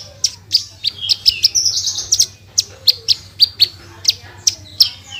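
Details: Branjangan delivering gacor song: clipped high chips roughly every third of a second, broken by a short buzzy flourish near the middle.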